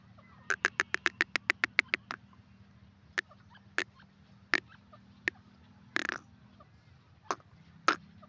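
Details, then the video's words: Grey francolin, known locally as teetar, calling: a rapid burst of about ten sharp, clipped notes, followed by single hard notes spaced a second or so apart. A low steady hum runs underneath. "beautiful bird teetar awaz,top voice teetar birds"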